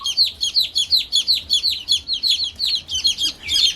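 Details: Several newly hatched chicks cheeping together, dense overlapping high, descending peeps, about three per second, with a faint low hum beneath.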